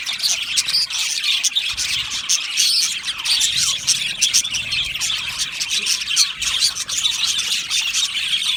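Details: Aviary colony of budgerigars singing and chirping together, a thick unbroken mass of high chatter, squeaks and short squawks overlapping from many birds.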